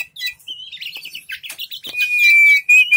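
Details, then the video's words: Caged Oriental magpie-robin, kept in a collection, spreading its tail as it sings: rapid high chirps and trills that slur into a long, clear, steady whistle near the end. "burung kacer super buka ekor"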